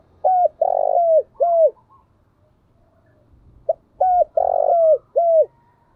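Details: Decoy spotted dove calling to attract wild doves, giving two bursts of three hoarse coos, the middle note longest and harshest, each phrase ending with a short downward slurred note, separated by a pause.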